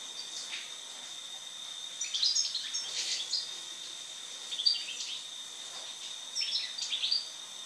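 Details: Post-moult European goldfinch giving several brief clusters of thin, high chirps and twitters at irregular intervals, with a constant high tone humming behind.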